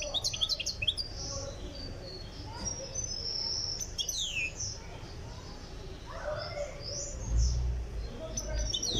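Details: European goldfinch from Tiaret, Algeria, on its way to song readiness, with bursts of high twittering and downslurred whistles separated by quieter gaps, plus a low thump near the end.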